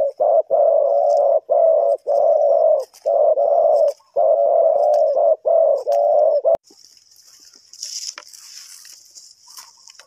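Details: Spotted dove cooing, used to lure wild birds in trapping: loud, low, hollow coos in a rapid run of even blocks for about six seconds, then quiet with a faint high hiss like insects.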